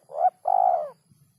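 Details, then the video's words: Spotted dove calling for songbird training: a short rising coo followed by a longer, slightly rough and wavering coo. "masteran burung terkukur"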